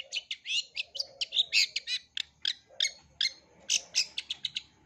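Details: Long-tailed shrike singing its full repertoire, meant for young birds to learn from. A fast, unbroken chatter of harsh, scratchy notes and short buzzes, several per second, over a soft low murmur.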